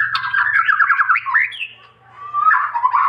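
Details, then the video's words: White-rumped shama master song: a rough, buzzy warbling phrase with rapid wavering notes, a brief rising whistle, a pause, then another grating warble over a low hum. "MACAM-MACAM SUARA BURUNG MURAI BATU GACOR UNTUK MASTERAN"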